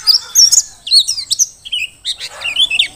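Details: Short phrase from a wild-caught Merapi mountain white-eye: several high, slurred whistled notes with sweeping pitch, then soft twittering.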